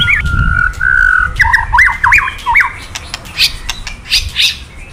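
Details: White-rumped shama giving kretekan sounds that provoke male shamas: a long steady whistle, then looping rapid up-and-down whistled notes, followed by harsher scratchy bursts.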